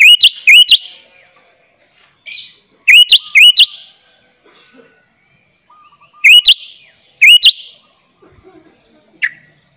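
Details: Tutor recording for young birds: a sooty-headed bulbul in lively 'gacor' song with 'isian' fillers gives paired upswept whistled notes, repeated in spaced doublets every few seconds with quiet gaps between.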